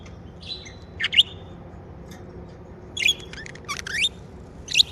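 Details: Budgerigars kept as pets chirp in scattered bursts: sharp rising squeaks and short warbled notes spaced about a second apart over a quiet background.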